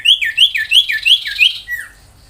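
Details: Ashy tailorbird, locally called sirtu, whose song is used to tutor magpie-robins and young tailorbirds; five sharp, bright downslurred notes in quick succession, then a single longer falling note, with a quiet background.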